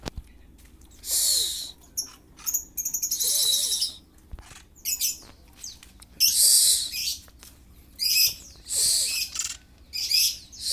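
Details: Oriental magpie-robin in full breeding condition, called kacer kembung or mbagong; a loud sequence of grating, buzzy bursts and rapid stuttering high notes, with several short pauses and a faint low hum beneath.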